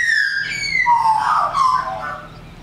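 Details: Australian magpie (Gymnorhina tibicen) singing at a caravan park in Cobar, New South Wales, Australia, on 13 January 2019: a rich, flute-like warble gliding down from high notes into gurgling, mellow tones over a couple of seconds.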